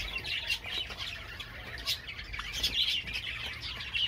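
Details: Short stretch of Java sparrow singing: busy high chirps and bell-like trills in quick succession, broken by a few sharp clicks.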